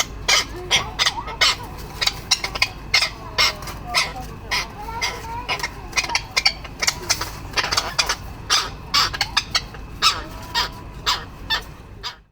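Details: Fighting male tropicbirds defending mate and nesting area; a dense, rhythmic series of grating, scratchy call notes, some with faint tonal undertones, continuing almost without pause before fading at the end.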